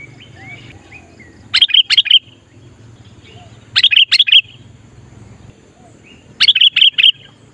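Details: An actively singing sooty-headed bulbul, used to lure wild bulbuls, gives short bursts of three or four bright, bubbly notes, repeated every two to three seconds, with faint softer chirps between.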